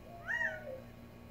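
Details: Quail calling in a Tucson desert backyard: one loud call that climbs quickly, peaks, then slides down into a lower trailing note, with a faint low hum behind it.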